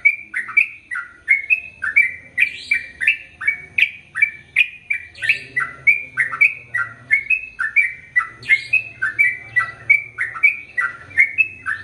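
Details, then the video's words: Sooty-headed bulbul in full song, used as a tutor recording for male and female birds: a long unbroken string of bubbly two-part chirps, each dipping then rising, repeated about twice a second, with a faint low hum behind. "Trucukan Gacor ROPEL PANJANG"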